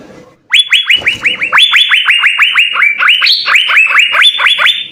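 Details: Energetic Asian fairy-bluebird song with full fill-in, used for tutoring caged birds: after a soft hum, a steady chain of sharp upslurred whistles, around four per second, briefly jumping to higher-pitched notes midway.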